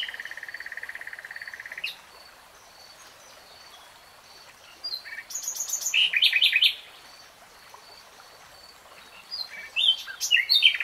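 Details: Real-time nightingale singing: a long buzzing trill of rapidly repeated notes, a pause, then a phrase of sharp high chips and fast repeated elements, and a later burst of varied notes.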